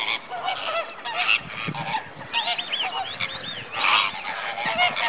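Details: Greater flamingos at Slimbridge in January 2016, flock activity before bedtime: steady crowd of honking, nasal calls from many birds, with clusters of looping, rising-and-falling cries in the middle and louder bursts near the end.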